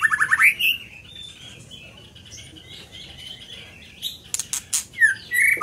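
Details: Scarlet minivet giving a burst of rapid whistled notes, a quiet pause with faint high notes, then sharp clicks and a final sweeping whistle.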